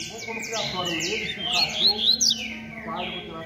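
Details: Competing rusty-collared seedeater delivering 'beco'-style song: a rolling series of high descending slurs building to bright, sharp whistled notes midway, then softer twitters, over a low steady hum.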